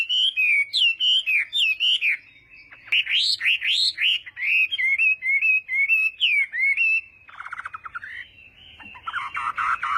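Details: Chinese hwamei giving morning song for voice training: rich varied whistled phrases, looping up and down, in rapid succession, followed by softer chattering and buzzy notes in the last seconds.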